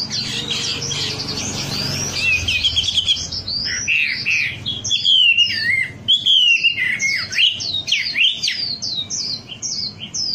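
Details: Lure recording of wambi song for cage birds: a dense high twitter opens, then a fast mix of sweeping whistles and sharp chirps, loud and uneven.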